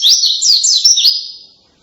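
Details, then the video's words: White-eye singing loudly in a canary-like style: a short burst of bright, wavering high whistles and quick slurred chirps, fading out after about one and a half seconds into silence. "kicauan keras pleci rasa kenari"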